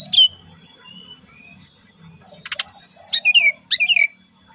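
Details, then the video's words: Brown-chested jungle flycatcher giving a relaxed lure song: a high thin whistle, a short buzzy burst, then a rapid run of sweet, slurred, descending whistled notes. "SRDC Bunyi Santai Pancingan"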